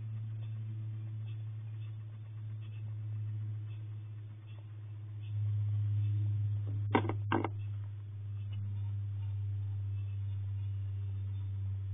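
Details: A steady low mechanical hum runs throughout, broken by two brief sharp clicks near the middle, with no animal sounds.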